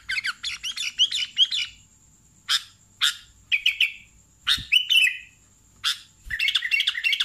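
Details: Sooty-headed bulbul in lively song: a quick burst of chirps, then single sharp notes and short warbled phrases spaced about a second apart, with a faint steady high tone behind.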